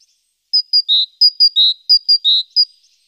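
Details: Great tit active around its nest box on a morning in mid-April, seen on webcam, sings a three-note phrase three times: two short high notes dropping to a longer, lower one.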